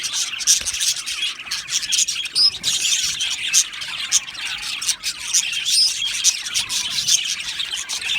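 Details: Budgerigars in an aviary colony, a dense, continuous chatter of high, scratchy chirps and squeaks, with many birds calling over one another and brief sharper notes rising above the mix.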